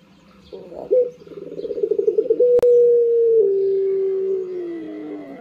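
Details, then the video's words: Barbary dove kept as a pet, cooing in the morning: a soft rolling stutter builds in loudness, then settles into a long sustained low tone that steps downward and fades, with one sharp click midway. "Menikmati kicau burung puter dipagi hari//enjoy the chirping of the puter birds in the morning"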